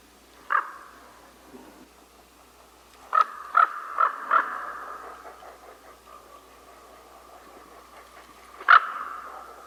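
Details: Common raven giving short, hollow, knocking notes: one, then a quick run of four, then a last one after a pause, over a faint steady tone underneath.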